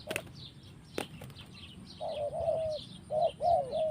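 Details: Spotted dove in the forest: sharp wing claps and flapping open the recording, then mellow arched coos start halfway through in two short bursts, with distant high bird chirps behind.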